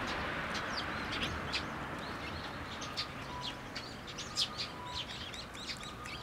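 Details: Fledgling sparrows flocking to a plum tree at a Tenmangu shrine for food on 26 May 2024, calling in a busy, overlapping stream of sharp, high chirps, several per second, with a faint steady tone in the background.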